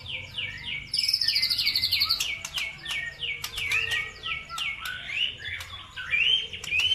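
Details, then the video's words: Provocation song for birds: repeated descending whistled slurs, a high buzzing trill, crisp clicking ticks, and rising chirped phrases, several birds overlapping over a soft low hum. "PANCINGAN SUPER AMPUH CUKUP HITUNGAN DETIK LANGSUNG NYAUT BIKIN EMOSI BURUNG NAIK IKUT GACOR"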